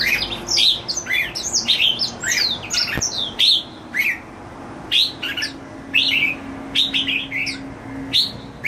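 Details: A pet jambul, or red-whiskered bulbul, singing happily: bright chirped and slurred whistles, many rising or falling, tumble out in quick irregular bursts over a faint steady hum.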